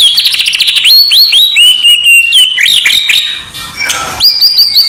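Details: White-rumped shama song used as contest preparation: fast rich trill, then looping upswept and downswept whistles, a short harsh rasping burst, then quick repeated bright notes.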